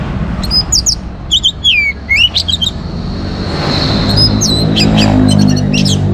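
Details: Orange-headed thrush from Singaraja, Bali, singing to set other birds singing: a few looping slurred whistles and sharp chirps, then quieter scattered notes over rising background noise.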